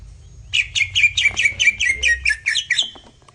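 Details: Masteran song of a greater green leafbird, meant to make listening birds excited: about a dozen quick, sweeping whistled notes in a tight, even run lasting roughly two and a half seconds.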